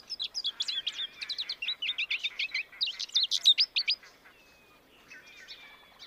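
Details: An American goldfinch sings a fast, jumbled run of high twittering and tinkling notes for about four seconds, then falls quiet with only faint distant thin whistles afterward.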